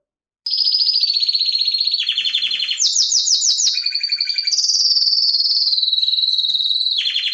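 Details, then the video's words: A canary sings continuously after a brief silence: steady rolling trills that shift pitch step by step, a burst of fast sweeping notes, and a sustained high warble, loud and unbroken. "Wonderfull Canary Singing"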